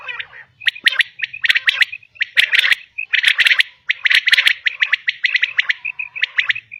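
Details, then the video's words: Female common quail (batair) sounds: rapid, crowded series of sharp clicking notes in quick groups, nearly continuous, with a few soft rounded notes between bursts. "Common quail Calling| Female Quail sounds"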